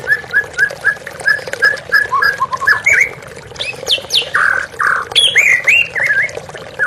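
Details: White-rumped shama, therapy recording: a rapid series of short repeated whistled notes that breaks into louder, harsher and more varied phrases, all set against continuous running water.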